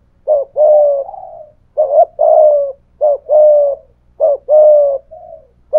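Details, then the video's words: Spotted dove decoy in 'thổ pha thúc' voice, cooing against a wild dove; four hoarse coo phrases, each a quick lead note and a longer trailing coo fading softly, spaced about a second apart. "cu gáy giọng thổ pha thúc GÙ đấu với bổi, tiếng gáy bổi nghe rất ghét và gáy theo hiệu quả"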